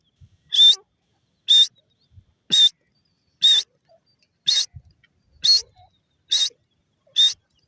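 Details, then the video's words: Female grey francolin calling: short, sharp, whistled notes with a harsh edge, given about once a second, eight in a row, against a quiet background. "female dakhni teeter ki awaaz,teeter bird sound"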